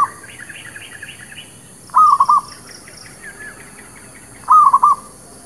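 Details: Trapping lure song of a local zebra dove: two soft cooing phrases of clustered notes, roughly two and a half seconds apart, with a different small bird chirping higher-pitched notes earlier and faint background noise.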